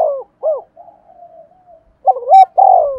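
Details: Spotted dove kept as a decoy, calling in the 'giọng thổ' style from Vietnam. Fragments of short throaty coos are cut at the start and end, with a softer drawn-out coo in between. A brief higher click sounds near the end.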